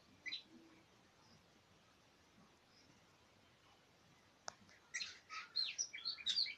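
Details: Oriental magpie-robin: after several seconds of near silence and one sharp click, a burst of quick, varied, high chirps and whistled notes runs through the final two seconds.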